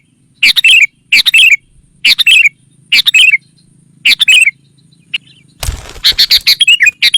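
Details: Sooty-headed bulbul call used to attract wild rival birds: regular, loud, bubbly phrases repeated about every second, then a brief rustling noise followed by a quicker jumble of bright notes.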